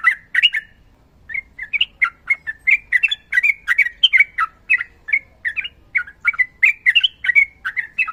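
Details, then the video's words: Sooty-headed bulbul singing a long ropel song, a steady stream of bubbly, slurred chirps repeated quickly for several seconds after a brief opening burst. "TRUCUKAN GACOR NARUNG ROPEL PANJANG"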